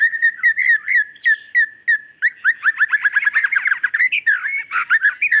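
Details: Female white-rumped shama calling her male with a sharp song used to provoke a male into full song: clear steady whistles and short notes at first, then a quick, tumbling burst of mixed chirps.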